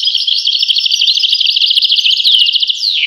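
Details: Dense, lively goldfinch twittering: a non-stop run of quick high chirps and trills that ends in a short downward slur.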